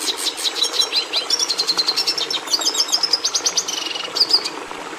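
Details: A red siskin twitters continuously: dense, high rattling trills interwoven with thin sustained whistles and fast chattering notes, over low steady hiss.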